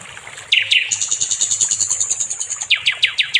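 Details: Nightingale, called sikatan londo locally, used to train other songbirds: two swooping notes, then a very high, thin, buzzing trill lasting nearly two seconds, ending in several quick falling whistles.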